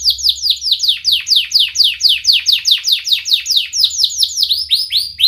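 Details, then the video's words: Canary song meant to teach young canaries: sharp, tightly packed down-slurred chirps repeated about twice a second, steady and loud, ending with slightly shorter hooked notes. "Kenari Gacor speed Rapat WIT Wit Tajam Cuit cuit ngeroL, pancingan kenari PAUD BELAJAR BUNYI"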